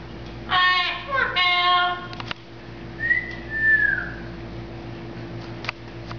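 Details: Corbel, a female double yellow-headed amazon parrot at a zoo, chatting with guests, gives a brief speech-like phrase, then a clear whistled note that slides downward, in a quiet indoor setting.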